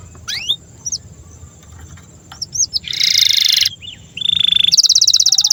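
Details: Canary song used as a master recording for teaching young canaries and silent canaries to sing: high whistled upsweeps and downslurs, then a dense buzzy trill, a steady note and a fast rattling roll.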